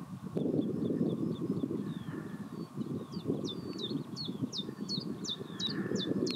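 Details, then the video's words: Singing chiffchaff near Pehritzsch: after soft high twitters, a clear run of about seven sharp downslurred notes begins midway, repeated quickly and evenly, with steady low-pitched rumbling noise throughout. "Zilpzalp mit Gesang bei Pehritzsch Vogelstimmen chiffchaff"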